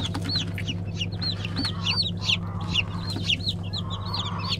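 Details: Black Araucana chickens, a breed kept for the 2020 season, giving a rapid stream of short, high arched peeps from several birds, overlapping and uneven in rhythm, over a steady low mechanical hum.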